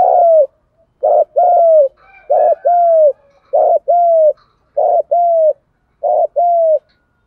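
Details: Decoy spotted dove in the thúc gù style, for provoking wild doves: steady paired coos, a short note then a longer falling one, repeated about every 1.2 seconds, six pairs in a row, clean and loud.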